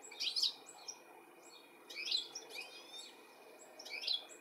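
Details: UK, July 2017: European goldfinch searching for its young gives three short clusters of high, scratchy twittering chirps, about two seconds apart, with quiet background hum.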